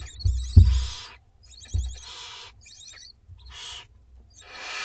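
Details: Dinner time for two-week-old barn owlets in a school garden: softer, broken hissing calls with twittering edges, mixed with a couple of low thumps from the nest.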